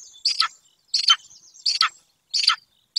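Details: Golden eagle nest in the wild Bucovina mountains, watched by a live webcam: four rough, double-pulsed chirps about 0.7 seconds apart, with a high steady whistle from another bird behind them.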